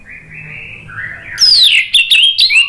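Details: Orange-headed thrush singing in the loud 'ngeplong' style, played as a lure for birds that have stopped singing: a soft rising whistle that swells into sharp, ringing slurred phrases with descending swoops.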